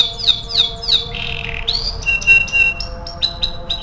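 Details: Canary song played to prompt other canaries into singing: sweeping high whistled slurs, a buzzy rolled phrase, then clipped bright repeated notes at a quick pace.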